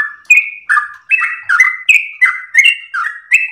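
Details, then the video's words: Yellow-vented bulbul in a long-breathed, melodious ropel song, used as a master and lure recording: slurred whistled notes dipping and rising, about eight phrases in quick succession with sharp high ticks over a clean, quiet background. "trucukan gacor lagu MERDU ropel nafas panjang"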